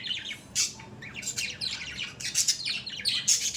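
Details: Several pet budgerigars chattering together, a rapid jumble of harsh chirps and scratchy squawks with a loud burst near the start and dense calling toward the end.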